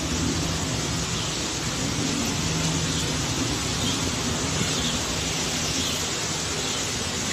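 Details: Steady broadband rushing noise like rain or passing traffic, with no animal voice heard.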